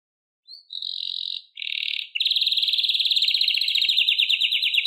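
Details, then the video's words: Atlantic canary song beginning with two sustained buzzy notes, then breaking into a long, rapid, even trill of repeated notes that continues to the end. "Canto de pássaros Canários Silvestres"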